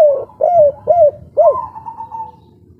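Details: Derkuku, a local Indonesian spotted dove, sings kuk 3 style: three quick hooked coos, then a fourth coo that runs into a long, fading hum.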